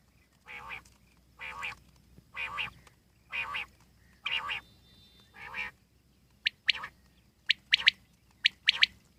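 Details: Wild common quail starts with a series of lower, nasal, buzzy notes, one every second, then switches to sharp, high, clipped notes in quick pairs and triplets.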